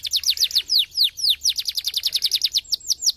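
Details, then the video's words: Canary song for stimulating singing: a rapid series of bright downward-slurred whistles, repeated about three to four times a second and accelerating into a quicker trill. "estimule rapidamente o som do canary jam"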